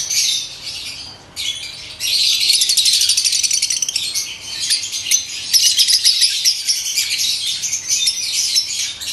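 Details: A breeder pair of Fischer's lovebirds chatter in a dense stream of shrill, high squeaks and chirps, about four a second, with a brief quiet gap early on.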